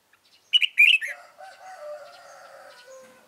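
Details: Stubborn white-cheeked red-whiskered bulbul caught with a decoy on 26 June 2018. A quick, bright warbled phrase of several loud notes is followed by sustained tonal music underneath.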